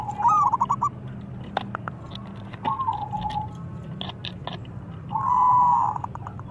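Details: Zebra dove calling to challenge rivals, softer and more broken: short staccato coo bursts and a drawn rolling note near the end, interspersed with clicks and tapping sounds over a low hum.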